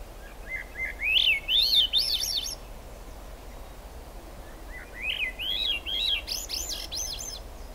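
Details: Swainson's thrush singing in the rain at the Squamish River Estuary on July 6, 2022: two upward-spiralling flute-like phrases, each a series of rising whistled notes climbing higher, separated by a pause, over soft rain hiss.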